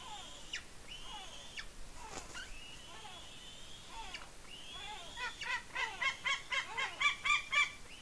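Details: Eaglet feeding on a fish at its Norwegian nest on Smola, 7.12.18, with the adult perched just above. Long, level, piercing whistles fall off at the end, then a fast, even run of short chipping squeals.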